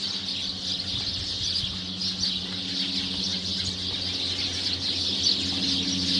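A steady, dense chatter of high chirps from several sparrows overlapping without pause, with a faint low hum underneath.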